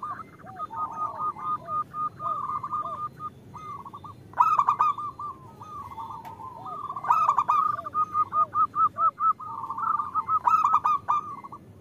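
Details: Female zebra dove calling the male, used to draw males into singing: continuous fast cooing phrases over low curved notes, punctuated by several loud rasping stutters.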